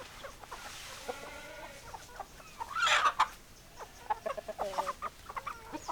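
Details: Chickens clucking, with hens and roosters named together: scattered short clucks, one louder harsh squawking burst in the middle, several callers overlapping over steady background noise.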